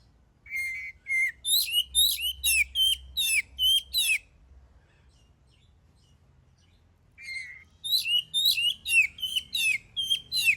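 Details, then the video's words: Oriental magpie-robin, song used to goad other birds into singing; two clear whistles lead into a rapid burst of rasping phrases, three seconds of quiet, then the same whistle-and-chatter pattern resumes. "Suara burung kacer gacor paling ampuh buat pancingan"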